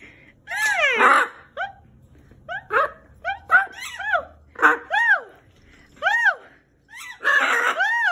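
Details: Blue pet parrot in a house, uttering a rapid series of short arched squawks, rising then dropping, several per second in bursts, with a longer rough screech at the start and end and faint human voice underneath.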